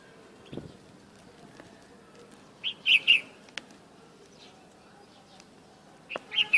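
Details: Bulbul heard in the open in the morning, out of the cage: two brief bursts of rich whistled notes, bubbly and slurred, a few seconds apart, over quiet low background noise with occasional clicks.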